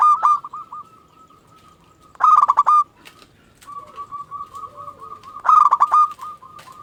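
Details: Zebra dove of local stock singing as a lure to draw other doves into answering: short bursts of loud, rapid, rippling coos alternating with long stretches of faint, sustained, even-pitched purring between them.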